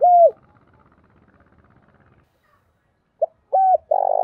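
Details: Spotted dove decoy call to lure other doves. A falling coo ends a phrase, and after about three quiet seconds a short note, a level coo and the start of a rolling coo follow.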